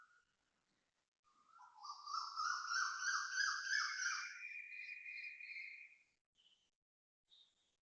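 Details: Asian koel making loud noises at 6.53am on 3 January 2026 at Toa Payoh, Singapore: a loud, bubbling run of quick notes for about four seconds with thinner high notes over it, then a few brief chirps.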